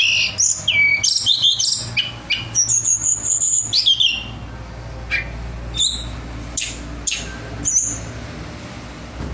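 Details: Pied fantail, a local contest songbird, sings a rapid run of high whistled and slurred notes for about four seconds, then only scattered short chirps over low background hum.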